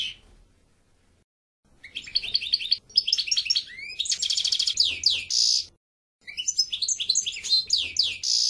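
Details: After a second of quiet, a European goldfinch delivers lively tinkling trills and repeated swooping downslurs, pauses briefly, then starts again with the same bright twittering.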